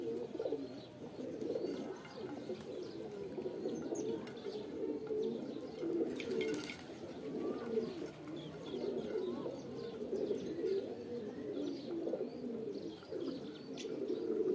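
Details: A flock of pigeons keeps up an unbroken, throaty cooing, with soft repeated phrases and a brief sharp clatter in the middle.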